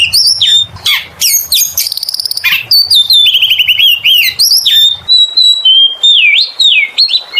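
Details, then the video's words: Oriental magpie-robin (kacer) in full lure song, mixing sharp downslurred notes, a quick rattling trill, rolling warbled whistles and long clear sustained whistled tones. "PANCINGAN SUARA BURUNG KACER GACOR SUARA NGEMPLONG PARAH"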